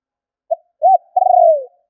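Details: Lure call of a spotted dove meant to attract wild doves: a short note, a rounded arching coo, then a long rolling coo that slides down, with the next phrase just beginning at the end; clean background.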